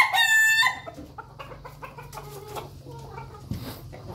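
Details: Ayam Ketawa chickens feeding as a flock in their coop: a short, loud, harmonic-rich squawk opens, followed by soft, scattered low clucks and pecking sounds.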